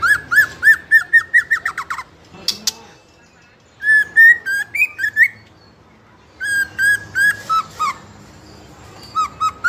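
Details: Speckled young white-rumped shama singing to provoke rivals: rapid series of clear whistled notes repeated several times a second, paused, then resumed with lower slurred whistles.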